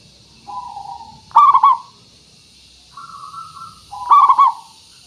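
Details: Local zebra dove song serving as a lure so doves respond. Soft level coos alternate with two loud, rapid, bubbling bursts of rolled coo notes about three seconds apart. Faint background hum.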